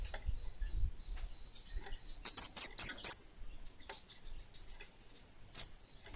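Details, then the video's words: A 'bunga api' orange-headed thrush in active song: soft high twittering, then five loud, sharp, downslurred whistles in under a second. A single similar note comes a few seconds later. "Suara Burung Kemade Bunga Api Gacor!!!"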